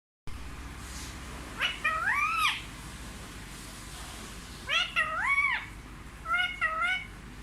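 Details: Pet Indian ringneck parakeet, raised at home and said to speak fluent Hindi including words like 'mummy' and 'papa', gives three drawn-out, arched, harmonic vocal phrases spaced a few seconds apart in a small quiet room.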